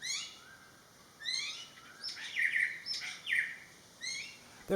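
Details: Greater racket-tailed drongo at a garden pond in western Thailand, which it visits every day, uttering a noisy mix of rising whistles, buzzy squawks and sharp sweeping notes, several in quick succession, with a sudden knock at the end.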